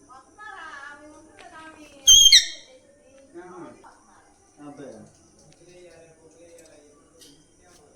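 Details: A pet Alexandrine parakeet named Bittu, taken out of its cage after many days, gives one loud, harsh, ringing screech about two seconds in while a man speaks quietly throughout.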